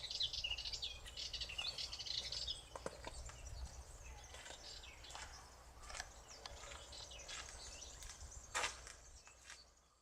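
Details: Barn swallow twitters: squeaky, high chattering phrases with scattered sharp chirps, strongest at the start and again near the end, over a constant low-pitched environmental hum.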